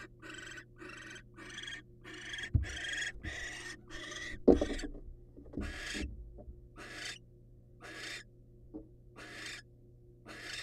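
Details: Male wild barn owl bringing prey to his female companion; a run of raspy hissing screeches, about fourteen, pausing briefly midway, with scattered bumps and knocks from the perch.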